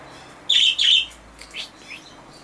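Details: Common chaffinch (Fringilla coelebs) song, August 14, 2013: a loud, bright burst of sharp, chirping notes, then a few softer, fading notes against a quiet background.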